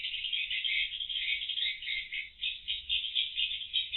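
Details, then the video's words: Swiftlets in the void room of a swiftlet house, before entering the roosting room, captured by CCTV: dense, continuous high chattering twitters from many birds, a steady rattling wash of sound. "Burung Walet di Ruang Putar"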